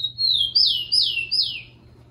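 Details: A rufous-collared sparrow sings a lot in a training recording meant to warm up birds: a high, thin whistle, then three clear notes each slurring sharply downward about every half-second, over a faint low hum.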